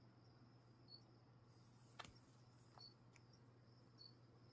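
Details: An indoor pet Little owl (Athene noctua) gives a few sharp, dry bill clicks under a second apart while attacking a stick toy held by its owner in mock play-fighting, over a low hum and faint high chirps.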